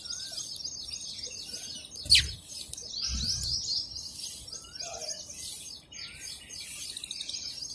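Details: Several sparrows chirp steadily as they feed, producing high, rapid, overlapping tweets throughout, with one sharp click just after two seconds and a few dull low thuds soon after.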